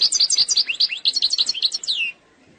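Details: Algerian goldfinch delivering error-free eastern sector song: about two seconds of quick bright twittering notes, many rising and falling slurs, then it stops and quiet follows.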